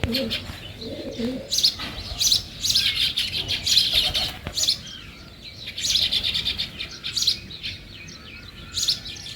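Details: Sparrows chirp in busy, overlapping bursts of short, high notes on a morning, with brief low voices in the first second or two.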